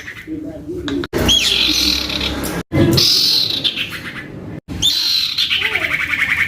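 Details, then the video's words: Young common iora belting out song to prompt other iora to respond: bursts of loud buzzy high phrases with falling sweeps, split by sudden silences, ending in a rapid rhythmic trill. "Anakan Cipoh Atau Sirtu Gacor Abis !!! MENTAL TEMPUR!!! ( PANCINGAN CIPOH AMPUH )"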